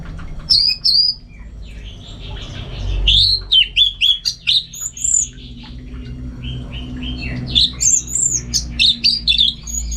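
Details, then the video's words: Orange-headed thrush from North Bali, Singaraja, singing energetically at home: a rich varied stream of high whistles, slurred sweeps and quick chirps in rapid, irregular bursts, several notes per second, with a faint low hum. "Super Kicauan ANIS MERAH Gacor"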